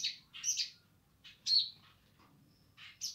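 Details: Streaked spiderhunter singing energetically: harsh, buzzy high chirps in short bursts, a double note near the start, then separate scratchy notes after pauses of about one second, over a quiet low background hum.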